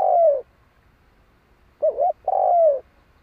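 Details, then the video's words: Spotted dove calling: deep, hollow cooing notes, a long drawn coo, a short wavering double note, then another long falling coo. "Chim cu gáy gọi hay mới nhất"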